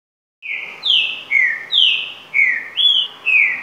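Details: Green-winged saltator singing a virador-style song: a series of loud, clear whistled notes, each sliding downward, delivered about twice per second after a short silence, with notes alternating between higher and lower pitches.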